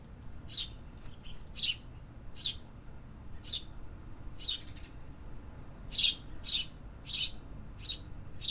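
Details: Urban songbirds chirping: scattered high descending notes early on, then a quicker run of louder chirps about half a second apart toward the end, over low city noise.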